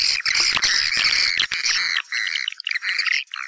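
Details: Swiftlets, as used to entice them into a house: loud, squawky high chirps in a dense burst, then breaking into separate short buzzy notes and twitters.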